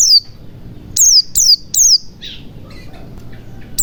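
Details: Thin white-eye notes, used to restart a white-eye that has stopped singing: four sharp, high, downslurred calls in quick succession, then fainter scattered chirps and a quiet background.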